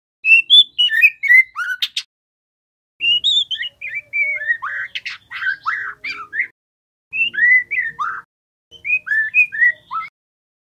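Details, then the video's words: Loud song of a young captive white-rumped shama (trotol), used to provoke other shamas into singing: rapid sequences of whistles, sharp chips and warbled slurred notes in repeated bursts of two to three seconds, quiet between phrases. "Murai batu trotol agar cepat bunyi ‼️ Suara pancingan MB bahan supaya GACOR emosi bongkar isian"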